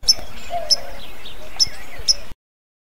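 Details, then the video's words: White-crowned Sparrow giving its metallic 'pink' call: four sharp, high notes spaced irregularly over two seconds, with a faint murmur of voices behind. "White Crown sparrows give a metallic pink call"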